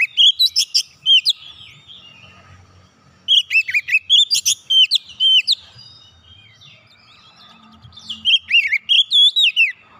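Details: Oriental magpie-robin song for getting a quiet bird to sing again: three bursts of fast, loud, rich whistled and swooping notes, with soft warbling between them.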